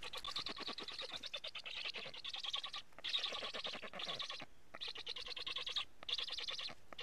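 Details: Black stork chicks at a nest in Estonia, filmed 15 July 2017 at 11:15 as a strange stork is near, give harsh, wheezy, rapidly pulsed rasping begging calls in long bursts, pausing about every one to two seconds.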